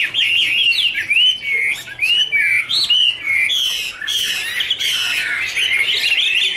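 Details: Warbling song of Chinese hwamei dancing in a duet with fanned wings; clear whistled slurs and upward swoops in short bursts, later blending into a busier, scratchier tangle of notes.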